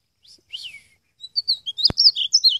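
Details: Wild European goldfinch: a few soft descending notes, then a quickening series of sharp, liquid tinkling chirps, with one brief click in the middle.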